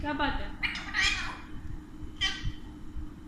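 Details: Talkative pet Alexandrine parakeets, a pair said to speak Urdu and Hindi. Voice-like harmonic sounds open the clip, followed by two grating, broadband squawks over a quiet indoor hum.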